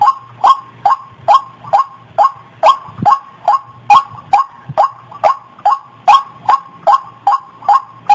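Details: White-breasted waterhen call played as a lure for trapping, quick regular rasping notes with a faint low hum beneath and one brief thump.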